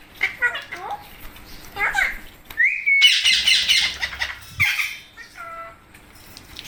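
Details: Pet Indian parrots calling: short chirps, a rising whistle, then a loud burst of harsh squawking chatter and a few falling whistled notes, with soft speech in Hindi.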